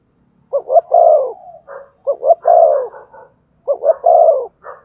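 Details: Spotted dove cooing in the urging style meant to spur a decoy bird to call. Three soft hooting phrases come roughly every one and a half seconds, each with quick stuttered notes, a swelling coo and a clipped tail note.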